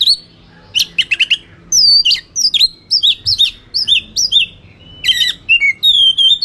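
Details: White-rumped shama's fighting song to rile rivals: buzzy chatter bursts, then a steady run of loud down-slurred whistles, another harsh burst and closing lower sustained whistled notes.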